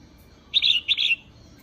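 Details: Female red-whiskered bulbul kept in a cage, calling to arouse males: one loud, warbled phrase of rapid liquid notes in two slurred sections, about 0.6 seconds long, over a quiet low hum.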